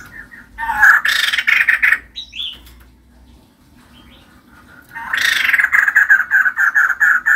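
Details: Caged female white-crested laughingthrush, called gacor for its persistent singing: loud rapid harsh chattering in rhythmic pulses, a short sweeping whistle-like note in the middle, a quieter gap, then another long loud burst of repeated chatter.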